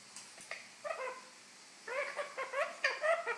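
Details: Pet golden conure playing indoors on top of a refrigerator in a happy mood, giving short bursts of soft, rasping, harmonic chirps and chatter separated by brief pauses in a quiet room.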